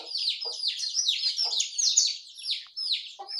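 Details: A morning gathering of small songbirds, many quick, high, downward-sweeping chirps tumbling over each other, fading slightly toward the end before a fresh burst.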